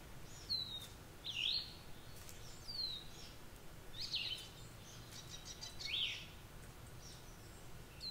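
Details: On a morning in the mountains, Acorn Woodpeckers give harsh, raspy calls, some sharp and falling, others broad and scratchy, roughly every second or two, over a soft outdoor hush.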